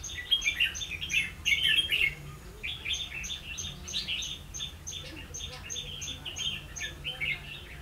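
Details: Decoy red-whiskered bulbul at a trapping site, 16 October 2016: loud bursts of chattering, warbling notes early on, then softer chirps over a regular high-pitched tick repeating several times a second.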